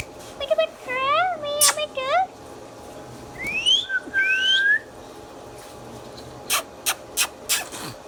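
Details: Pet Indian ringneck parrot indoors giving a run of short harmonic chirps, then two clear rising whistles, followed by a quick series of sharp clicks.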